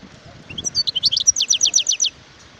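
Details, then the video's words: Wild European goldfinch, 2018, giving a tinkling song: a few rising chips lead into a steady string of sharp, downward-sliding notes, with low faint background rumble. "اسمع صوت الحسون البري"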